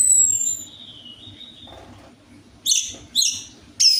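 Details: Orange-headed thrush song used as a lure to draw out a reluctant singer. A long whistle fades and drifts downward, then three short, sharp, buzzy bursts follow at roughly half-second intervals, with a low background hum.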